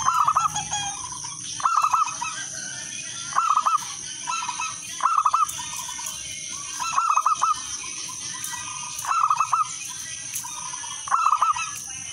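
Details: Local wild-type zebra dove singing actively, used as a lure to get other doves singing; clear, melodious rhythm. Low cooing phrases with rapid bubbling trilled notes, repeated about every 1.7 seconds, seven phrases, over a steady high hiss.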